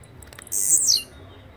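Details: Blue-black grassquit delivering one loud, sizzling high-pitched phrase about half a second long, sweeping downward at the end, after a few faint ticks.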